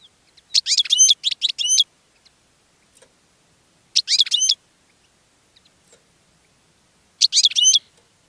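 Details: European goldfinch in a cage, calling in other goldfinches with its song: three short, sharp bursts of rapid tinkling chirps, about one second each and repeated roughly every three seconds, with silence between.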